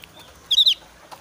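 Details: Javan grey-throated white-eye in breeding condition, highly agitated and challenging a rival, gives a short burst of three high, bright whistled notes, then a faint single note near the end.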